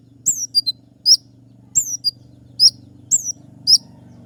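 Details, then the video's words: Wild sunbird heard as a songbird lure: short bursts of high, sharp down-slurred chirps about every second, over a constant low electrical hum. "Konin gacor dengan suara asli kolibri ninja liar untuk suara pikat semua jenis burung kicau"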